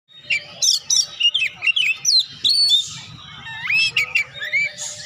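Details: Oriental magpie-robin in full song, kept to stimulate lazy birds into singing: loud varied whistled phrases, rising and falling sweeps between about 2 and 8k, rapid bursts with brief pauses, low hum beneath.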